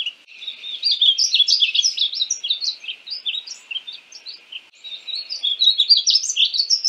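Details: Painted bunting (Passerina ciris) song in near-continuous, tumbling warbles of bright high notes, softening in the middle before rising again.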